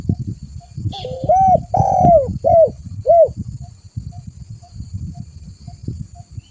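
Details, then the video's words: Spotted dove lure call: a short coo phrase of four hollow notes, one long and drawn out, the others short and arched, then steady low rumble with a faint repeated note. "Suara burung tekukur gacor buat Pikatan"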